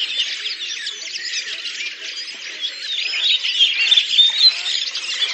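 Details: Flock of Redwings (Turdus iliacus) in chorus, Oka Nature Reserve, Russia, April 2019; many birds produce overlapping high chirps, squeaks and short whistled notes in a steady babble that grows louder toward the end.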